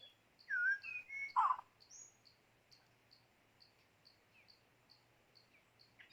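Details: White-rumped shama used as a decoy in bird trapping: loud rich whistled phrases in the first second and a half with rising and falling slurs, then a long run of faint, evenly spaced high notes.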